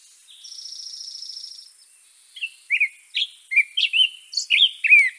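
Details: A European robin's song of sharp, bright chirps delivered in quick succession, which begins after a sustained high rattling trill fades out.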